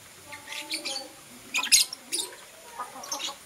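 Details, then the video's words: Blue Opaline and Parblue Euwing Opaline lovebirds in the morning give a few bright chirps with softer, more tonal notes between them over a slightly noisy background. "Lovebird Chirping Sounds"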